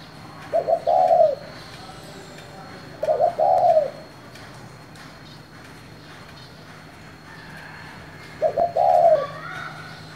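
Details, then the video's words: Spotted dove in 'giọng thổ' style calling to provoke rival doves: three short clipped coo phrases, widely spaced at about two-and-a-half then five-second gaps, over soft steady hum. "Cu gáy giọng thổ gọi, thúc kích bổi nhanh nổi"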